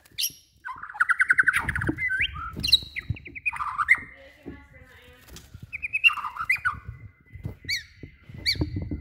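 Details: Song of a blorok-type Bornean white-rumped shama: rapid chattering trills and buzzy phrases mixed with clear whistles and sharp high chips, varied and uneven, over scattered low clunks and background rustling.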